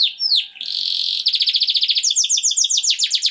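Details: Canary singing, a song tied to stimulating canaries for mating: a buzzy opening note, falling whistled slurs, then a fast rolling trill and a rapid run of high repeated sweeping notes.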